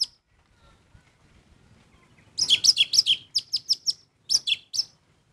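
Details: Orange-headed thrush in full song: a quick series of piercing high chirped notes, several per second, a short break, then more sharp repeated phrases.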